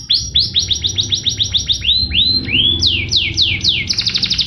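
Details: Chirpy canary song used as a master for coaxing other birds to sing: a rapid series of rising chirps, then slower, longer upward-sweeping whistles, then downward slurs and a closing quick trill.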